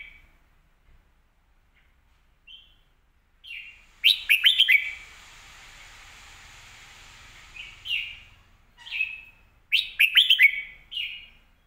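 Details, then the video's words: Red-whiskered bulbul singing from a cage: scattered short whistles build to loud bursts of rapid, fluting warbled notes, with a soft hiss between phrases. "สำนวนดี"เดินเพลงชัด ปากไวเสียงชัด"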